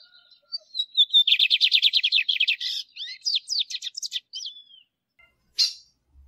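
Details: Male Lined seedeater, caged, singing to warm up and train other birds: brief whistles run into a fast, even series of buzzy notes, then looser twittering phrases and one sharp chip near the end.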